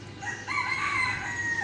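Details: A rooster crows at dawn near a playground and badminton court on a quiet morning walk: a drawn-out, hoarse crow held steady for over a second after a brief lead-in, over a faint low outdoor hum.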